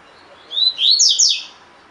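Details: Double-collared seedeater, caged, giving a tui tui fibra phrase meant for training captive birds. One short rising whistle leads into three or four loud, sweeping high notes, the whole phrase about a second long.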